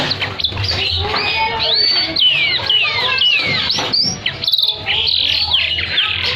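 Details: Chatty canary song with high and low parts, used as a trigger for canaries gone quiet and as a master for training birds; looping whistled slides and scratchy warbling run continuously with brief gaps.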